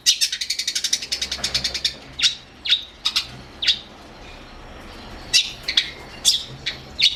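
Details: Long-tailed shrike, training audio for other songbirds, opens with a rapid rattling series of high scratchy notes, then breaks into spaced harsh chips with a short pause before more rasping bursts.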